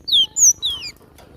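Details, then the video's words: Cinereous tit singing actively: three loud, clear whistled notes within about a second, each sliding downward in pitch, the second highest, over faint background noise. "Full gacor masteran ampuh burung glatik batu"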